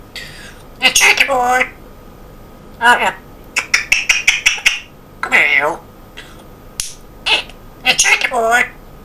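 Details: Male African grey parrot kept as a pet, talking in an English Yorkshire accent indoors: several short spoken phrases with gliding, voice-like syllables, a quick string of clicks, and quiet room hum between.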